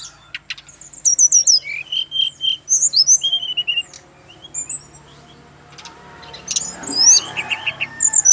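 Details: Brown-chested Jungle Flycatcher, male, Bali: quick twittering phrases of high slurred whistles and trills about four per second, fading, then resuming amid a brief rustling noise.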